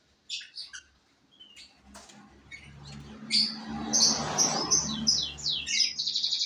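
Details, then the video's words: Canary singing in short bursts of high, sharp chirps and buzzy trilled notes that grow louder and denser toward the end, over a steady low hum and a broad rushing noise in the background. "maen burung kenari F2sf dulu kuyyy"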